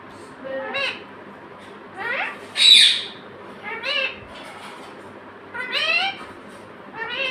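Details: Pet parrot mimicking human words such as "mummy" and "papa": a run of short, harmonic, speech-like syllables, some rising and falling, with a shrill squawk in the middle, repeated about every one to two seconds in a quiet room.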